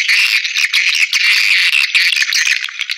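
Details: Short stretch of swiftlet lure call for nesting houses: a loud, unbroken mass of buzzy, chattering chirps.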